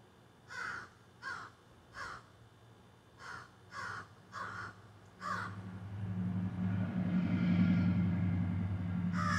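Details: Crows perched in trees behind a garden squawk in a rapid series of seven short rasping caws, then a loud low rumbling noise swells and drowns the calls before one final caw.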